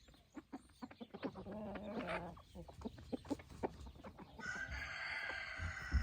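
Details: Roosters with hens on an evening of scratching in golden light; clucking and pecking noises come first, then a long, steady crow begins near the end.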